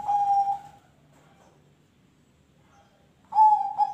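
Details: Zebra dove, called perkutut, singing ring tulus song meant to set other birds singing; a soft steady coo fading out, a pause, then a new stuttering cooing phrase begins.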